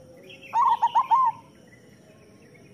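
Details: Local zebra dove song played as training material for reluctant singers: one short, loud burst of four or five rapid, bubbling, stuttered coos, then quiet.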